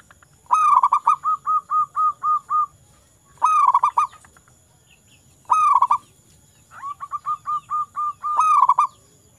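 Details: Zebra dove of local stock, kept to coax quiet doves to sing, delivers four cooing phrases: each opens with a rolling burst and trails into a string of short, repeated hoots, with brief pauses between phrases.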